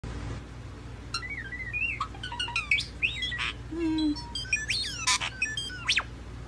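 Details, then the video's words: Bird mimicking the R2-D2 robot from Star Wars: a varied run of electronic-sounding whistles, rising and falling sweeps, quick chirps and a low warbled note, delivered in irregular bursts over a light background hum. "BIRD CAN SOUND LIKE R2-D2"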